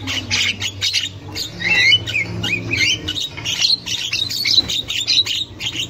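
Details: Javan myna in the wild, used to lure and stimulate young birds to sing; female chatter. Continuous rasping squawks interwoven with short wavering whistles, over a faint low hum.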